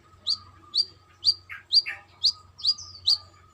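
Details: Brown-throated sunbird, a female calling the male, in trotol style: brisk high chirps about twice a second, broken by two lower, buzzier notes, with a steady hum behind.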